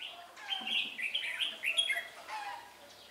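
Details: Decoy red-whiskered bulbul during bird trapping at Ba Thá on 17 December 2016, described as quick-beaked and changing its voice: a rapid, loud run of chirpy, warbling notes rising and falling, with short varied syllables packed closely together.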